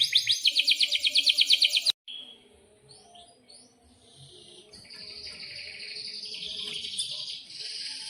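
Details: Canary singing a long roll, used to tutor young canaries: a loud, rapid pulsing trill for two seconds, then quieter, more distant high twittering and sweeping notes over a soft background hiss.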